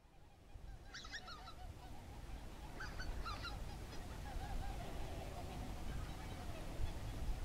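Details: Flock of greater white-fronted geese recorded on 1 January 2019: distant, clustered honking yelps around one and three seconds, then scattered faint calls, under heavy low wind rumble.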